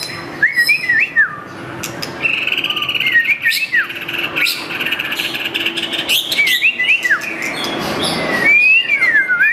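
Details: White-rumped shama with a long tail giving scattered whistled slurs, some rising, some falling, in short clusters against a constant mid-pitched hum.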